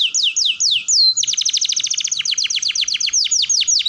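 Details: Rolling canary song as a lure for juvenile canaries learning to sing: three swooping falling notes, a held whistle, then a long fast series of steep descending chirps in rapid even rhythm.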